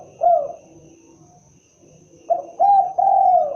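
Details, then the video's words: Spotted dove, derkuku or tekukur, with its typical voice: one short coo, a pause, then a phrase of a brief note and two longer mellow coos, the final one sustained and gently falling. "suara asli khas burung derkuku(Tekukur)"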